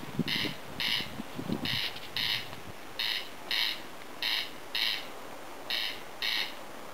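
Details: Corn crake in tall grass near a home in Lääne-Virumaa, Estonia, repeating loud rasping crex-crex double notes at an even pace; low rough sounds are heard during the first two seconds.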